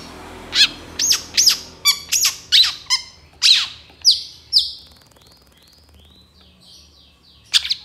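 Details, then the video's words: Long-tailed shrike (cendet) in energetic song packed with fill-ins, a master recording for training songbirds: a run of sharp, separate notes gives way to soft wavering whistles, then a final loud note. "SUARA CENDET GACOR DOR FULL ISIAN TEMBAKAN"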